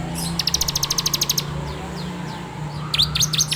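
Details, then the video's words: Bar-winged prinia in full 'ngebrem' song used as a training lure, recorded on an Android phone: a rapid run of about eleven sharp high notes, a pause with faint chips, then sharply downslurred notes at the end over a low steady hum. "PANCINGAN SUARA CIBLEK TERBAIK FULL NGEBREM RAPETT!!!"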